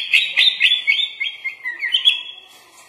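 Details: An actively singing sooty-headed bulbul with copied phrases mixed into its song, used as a training master. Quick bursts of bubbly whistled notes, about four per second, fade out toward the end.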